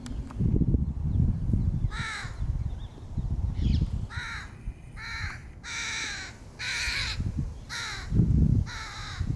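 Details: A crow caws while feeding its young, recorded in 2022: a run of about seven raspy, nasal caws in uneven bursts, some paired closely, over low background rumble.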